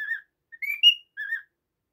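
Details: Pet cockatiel whistling a few short notes: a level tone, then two rising slurred whistles and a final falling note, with silence around them.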